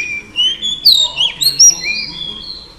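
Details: Female Oriental Magpie Robin singing to rouse males: a short, loud phrase of clear sustained whistles, sliding tones and sharp high accents.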